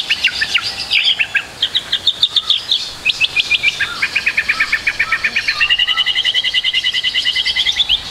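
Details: Full-repertoire white-rumped shama song for training juveniles, made of fast, evenly repeated high chipping notes in long trilled runs that speed into a steady rattle near the end.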